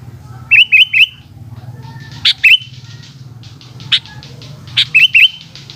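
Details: Afternoon song of a sooty-headed bulbul: short bursts of two or three liquid, rolling whistled notes repeated several times, mixed with sharp clicky chips and a steady low background hum.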